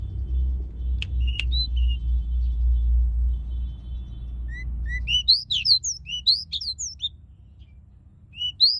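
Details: Young Pied bushchat learning to sing. A steady low rumble fills the first five seconds with only a few faint notes. Then a run of short, sharp chirps and quick slurred whistles follows, some rising and some falling.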